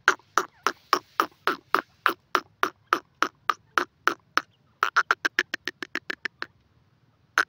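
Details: Steady series of sharp, percussive clicks from a grey francolin, about three per second, then a faster, softer run before stopping, with one last click after a pause.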